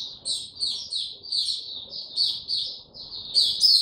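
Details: White-eye opening its song, 29 April 2022, with no health supplements given: brief high chirps in uneven clusters, swelling to a louder burst at the close, over a soft low hum.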